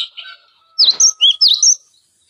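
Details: Cinereous tit song used as a tutor recording for training magpie robins, green leafbirds and other songbirds: after a faint soft note, a loud burst of five sharp, high whistled notes, each dipping then rising, delivered in quick succession over about one second.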